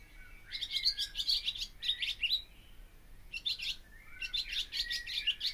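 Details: Song of a barn swallow: a run of quick, squeaky twitters and a buzzy trill, a pause, then another burst of rapid chirping, all high and bright over faint hum.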